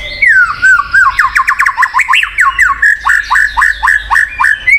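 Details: Murai batu (white-rumped shama) song for prompting a shama that will not sing: a fast, rhythmic string of sweeping slurred whistles, rising and falling in quick succession, then a steady run of repeated downward notes.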